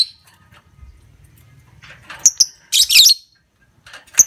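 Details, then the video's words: Lovebird recording used to stir other lovebirds into long ngekek trills: scratchy, shrill chirps, then a dense raspy burst and a final sharp note, in near silence. "Pancingan Love Bird Ngekek Ampuh Durasi Panjang"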